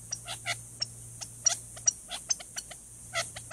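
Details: Male Gambel's quail, off camera in a chaparral thicket at a watering hole in Tucson, Arizona, sounding the alarm at a nearby Cooper's hawk, caught on a trail camera: rapid sharp clicking chips, irregular, over two per second, with a low steady hum.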